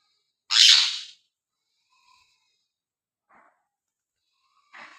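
An Indian ringneck parrot gives one loud, harsh, half-second screech, then a few faint soft notes and a brief rasping squawk at the end.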